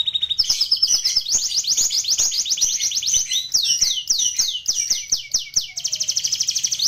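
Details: Canary singing in a lively, nonstop gacor style as tutor song for training other canaries. High rolling trills of quick sweeps shift in speed and pitch, with faint clicks underneath.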